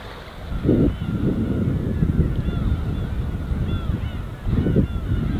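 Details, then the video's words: Gulls over the winter East Sea give clear, drawn-out downslurred cries, several at a time, over gentle surf and occasional wind bursts. "갈매기와 잔잔한 파도소리"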